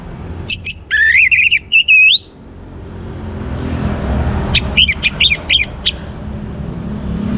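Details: Orange-headed thrush, a young bird, singing to encourage other birds to sing: a rich, wavering whistled phrase, then a run of short sharp chirps over a low rumbling background.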